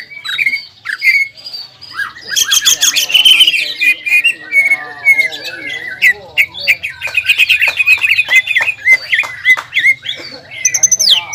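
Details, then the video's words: Long burst of ngobra and jamtrok from a caged greater green leafbird provoked by breeding arousal: opening whistles, then harsh squawky chatter and fast clicking notes running continuously, ending in high whistled phrases. "CUCAK IJO GACOR INI NGOBRA DAN JAMTROK SUARA GACORNYA BIKIN CUCAK IJO MANA PUN EMOSI"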